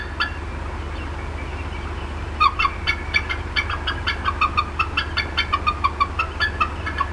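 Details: Agitated mother bald eagle clucking a very long time at the Decorah North nest, 18 April 2016: after a quiet start, a long, steady run of rapid, piercing chips several times a second, with a low drone.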